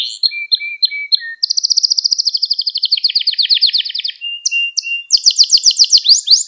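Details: Song of a Gloster canary, used to excite and teach young canaries: short chirps over a thin whistle, a long fast trill that drops into descending rolls, a level whistled tone, then quick high rising trills.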